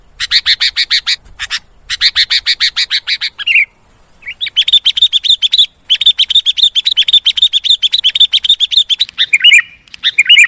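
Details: Lure recording of a sooty-headed bulbul. Long, rapid strings of sharp, repeated chirps are broken by short pauses, with a few slurred, downward notes between the runs.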